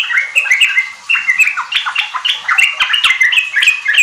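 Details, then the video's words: Sooty-headed bulbul (trucuk) in energetic song, used to coax kept birds into singing: dense, fast whistled notes and slurred phrases with crisp ticking sounds, continuous from start to end. "Pancingan trucuk ampuh bikin trucukan bahan cepat riwik ropel gacor"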